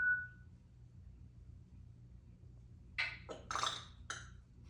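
An African grey parrot gives a rough, burping belch of several quick, noisy bursts. A short electronic beep sounds first, in a quiet room.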